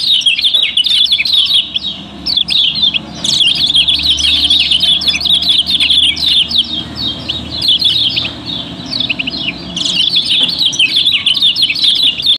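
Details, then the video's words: Lure recording of yellow-bellied prinia (kecial kuning, Lombok) for prompting other birds to sing: dense, rapid high chirping and trilling in long bursts, broken by brief pauses near four and eight seconds. "Kecial Kuning Auto Ramai, Pancingan Paling Ampuh"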